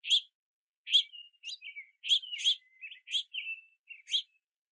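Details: Rainy backyard feeder where juvenile house finches chirp and flap wings, begging parents to feed them; burry chirps alternate with soft, thin, level whistled notes in an uneven run.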